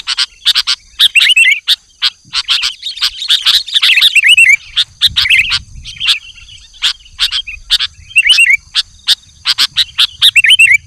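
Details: Chatty sooty-headed bulbul luring wild birds of its kind, dense bursts of sharp chips and bubbly whistles, with short rising slurred notes repeated toward the end.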